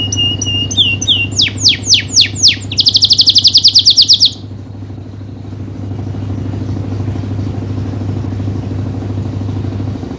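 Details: Canary singing as a tutor for other canaries: falling whistled slurs speed into a rapid high metallic roll lasting over a second, then the song stops, leaving about six seconds of low rumbling hum.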